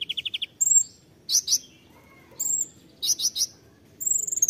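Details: Konin 'tembakan' phrases: a quick run of five stuttered notes, then repeated sets of two or three harsh buzzy chips, each with a thin, very high whistle. The pattern repeats several times.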